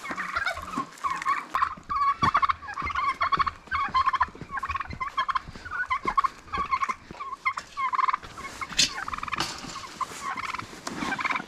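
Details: Flock of laying hens at a farm plot during their morning feeding routine, no talking: dense overlapping chorus of clucks and nasal squawks from many birds, with frequent sharp taps and clicks throughout.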